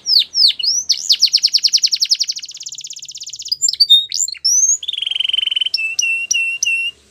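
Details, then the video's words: Canary male in song, opening with sharp downsweeping chirps, moving into a long rapid trill, then buzzy notes, a steady whistled roll and a few clipped upward notes. "Canary Sounds Male | The Best Canary Singing"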